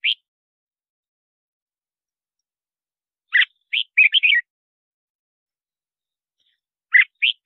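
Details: Bulbul song played to lure wild birds and train caged singers: a lone note, then a quick phrase of several bubbly, rising and falling whistles, and two more notes after a long silence.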